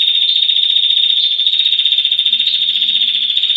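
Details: Long 'ngetir' trilling from a female Rufescent Prinia, a tutor recording for cage birds: a continuous rapid high buzz of tightly packed notes at an even pitch, with faint low murmurs in the background.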